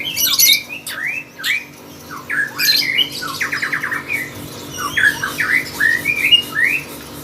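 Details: Lovebird singing in contest form, a rapid chattering series of upslurred chirps, rasping squawks and a quick buzzy trill, varied and continuous throughout, with a faint steady hum behind.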